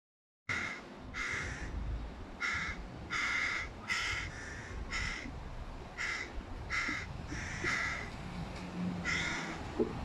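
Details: Hooded crow fledgling, one of three, begging loudly from a tree beside its mother while the first-time father feeds a sibling fish; harsh, hoarse caws repeated about once a second, a dozen in a row, over low background rumble.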